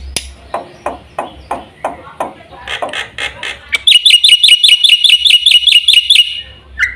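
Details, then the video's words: Black-winged myna with soft scratchy chatter and clicks first, then a loud run of sharp repeated whistled notes and a final low slur. "burung jalak putih"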